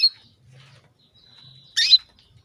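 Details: Calling female canary luring a male into breeding mood; a thin steady whistled note followed by one loud harsh chirp, with a faint low hum in the background.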